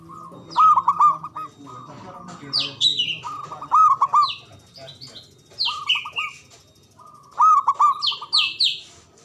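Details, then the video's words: Local Javanese zebra dove with a loud, long song, used to get silent doves singing and answering: rolling, fluttering coo phrases repeated about every two seconds, with other birds' chirps and squeaks between. "Pancingan Ampuh Pendongkrak Perkutut Bisu🔇 Malas Bunyi🔊 Bikin Rame"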